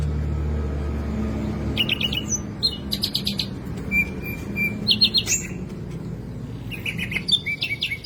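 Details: Caged green leafbird belting out a song packed with copied sikatan londo phrases. Steady flat whistles and clusters of buzzy chips arrive in quick bursts separated by brief pauses, over a low rumbling background.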